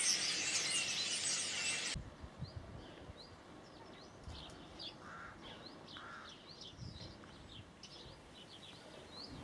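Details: Migrating common starlings arriving by the thousands from Spain in Berry, March 2012. Opens with two seconds of loud rushing noise, then scattered high chirps and rising squeaks with a few lower nasal notes.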